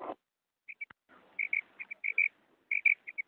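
A female quail gives short, high chirping notes, often in quick pairs, at an uneven pace. A brief thump and faint background rustle sound early on.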